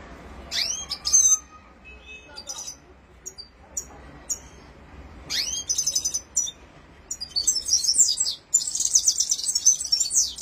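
Red-fronted serin singing a fast, high twittering song with rolling trills and sharp upswept notes, coming in bursts and building to dense, tinkling trills.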